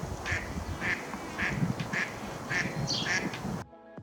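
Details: A female mallard, one of a pair, on Clear Lake on a calm migration morning among thousands of staging waterfowl: six loud, nasal quacks, evenly spaced about every half second, over a low rumble of wind or water.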